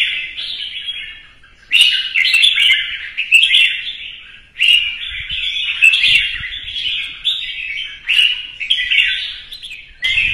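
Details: A red-whiskered bulbul in morning competitive song, crest fanned, sings lively, bright, warbled chattering phrases in bursts about every two to three seconds, with no other clear sounds.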